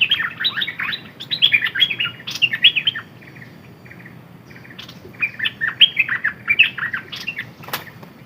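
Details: Red-whiskered bulbul kept as a decoy bird, singing bursts of quick, bright, warbled notes with rising and falling slurs, two phrases roughly three seconds apart, a sharp click near the end.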